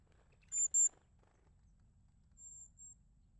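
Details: Crested tit (Lophophanes cristatus) in winter giving very high, thin notes: a loud pair, then a softer pair about two seconds later, over a faint low background hum.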